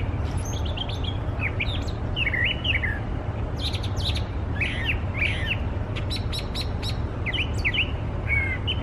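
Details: A brown thrasher sings a varied run of short, sharp phrases, some in quick pairs, reportedly including imitations of American Robin, Northern Flicker, Red-bellied Woodpecker and Red-winged Blackbird, over a low rumble of wind or traffic.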